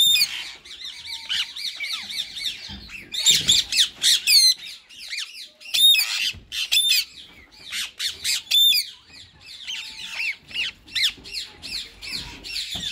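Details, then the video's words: Two rose-ringed parakeets, a white male and a green one, said to be in talking mode; loud, harsh squawks and rapid high chattering notes come in bursts, with several sharp upslurred shrieks clustered around the middle. "WHITE RINGNECK MALE AND GREEN"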